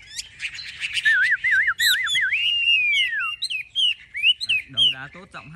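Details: Chinese hwamei in a cage, large and strong-voiced, singing wavering looped whistles followed by a long sliding descending whistle and scattered bright upslurred notes, with a harsher burst at the end.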